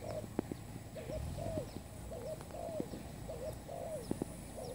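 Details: Spotted dove, a new lure bird for trapping, repeating hoarse cooing phrases roughly every half second amid scattered clicks and faint high chirps.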